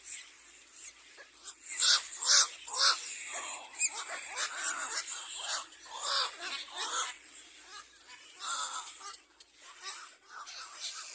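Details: Little black cormorant, with an adult attacking its own young: harsh, hissing squawks in irregular bursts, about two per second, rising and falling in loudness and overlapping at times.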